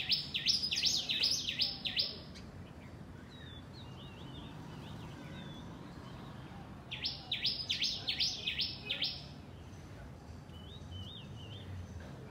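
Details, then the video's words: Flock of house sparrows chirping in a garden: two bursts of five or six loud, rapid, down-slurred chirps at the start and again about seven seconds in, with softer scattered twitters between, over a low steady background hum. "Flock of_ house #sparrows#chirping# in My garden_ Chirping Sparrows"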